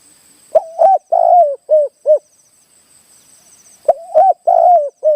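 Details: A spotted dove, during a decoy-trapping session in hilly country, gives two mellow, hoarse coo phrases of about five notes each, the middle note longest, separated by a short pause; otherwise quiet.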